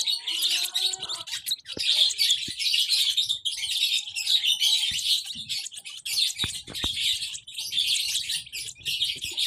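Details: Chirping from baby lovebirds: bursts of shrill, rapid twittering that swell and fade in waves, with faint clicks between them.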